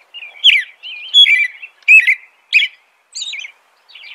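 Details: Rolling caroled song of an American robin, with wavering whistled phrases that rise and fall, some sustained and quavering, paced roughly every half second and ending in a fainter high phrase.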